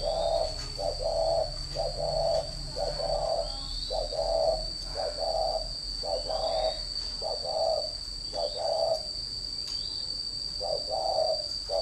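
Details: Caged spotted dove used as a decoy at a Ba Vì bird farm near Hanoi, Vietnam, giving a long run of about eleven soft paired coos at an even pace, beneath a steady high-pitched whine.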